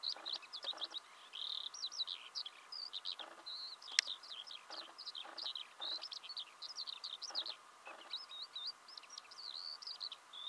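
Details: ['Eurasian skylark singing in Belarus in March 2016, early spring: a continuous, rapid stream of high, twittering and trilled notes with quick slurs and chirps, unbroken throughout, over faint background hiss.']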